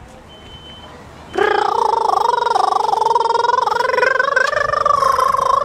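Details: A southern laughing kookaburra, laughing back after a person imitated its call, breaks into a loud, rolling laugh after a quiet start: rapid, harsh chuckling notes pulsing several times a second and climbing slightly in pitch.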